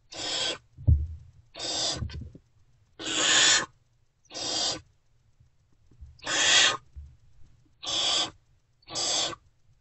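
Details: Great horned owl owlets in an owl box, still not fed, calling as an adult returns before sunrise, 3 March 2024. Seven short raspy hisses spread over ten seconds, somewhat quieter, with faint low thumps.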